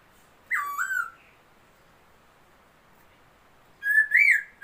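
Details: Laughingthrush, a new bird, recorded 27 February 2022, gives a loud whistle dropping sharply then wavering, long silence, then a rising rolling whistled phrase starting a new strophe.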